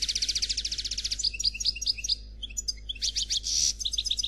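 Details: European goldfinch, 'noir' type, in clean khalwi song: a long run of quick bright trilled notes, scattered liquid chirps after a brief pause, then a loud buzzy burst and rhythmic twitters.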